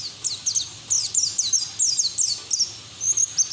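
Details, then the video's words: White-eye singing in the ngeriwik style with open bill, used to prompt other white-eyes to sing: rapid, high, thin twittering notes in quick bursts, each sweeping steeply up and down, repeated continuously with brief gaps, over a faint low hum. "PLECI NGERIWIK TELER BUKA PARUH NGALAS"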